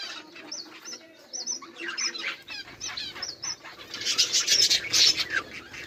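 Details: A group of budgerigars makes quick repeated whistled chirps at first, then a dense, loud burst of scratchy warbling chatter.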